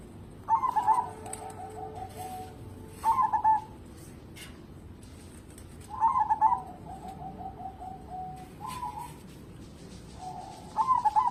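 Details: Local zebra dove, a strong singer used as a lure to make other birds sing, giving four phrases of quick stuttered notes, each followed by a long soft trill of descending coos.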